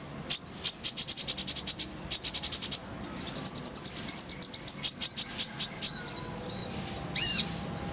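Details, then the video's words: Kolibri ninja (Van Hasselt's sunbird) delivering a full, rolling burst of shots in clear voice: rapid trains of very high ticking notes, about ten per second, broken by brief pauses, ending with a buzzy squeak. "Masteran Kolibri ninja full isian, Roll tembakan Suara jernih"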